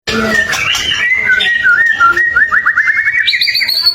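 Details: White-rumped shama in full gacor song used as a lure to provoke other shamas into answering: rich varied whistles, a rapid run of repeated rising notes, then high clear whistled phrases at the end.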